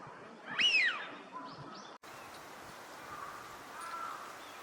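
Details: Eurasian wigeon wintering on a park pond at Junsai-ike Ryokuchi, Chiba, Japan, in February 2026: one loud, clear whistle that rises and then falls, followed by a short fainter note and then soft background noise.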